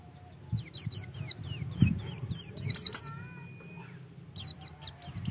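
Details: Oriental white-eye song played to encourage birds to sing: rapid high twittering and down-slurred notes over a low rumbling background, with a brief steady whistled tone and more chirps near the end.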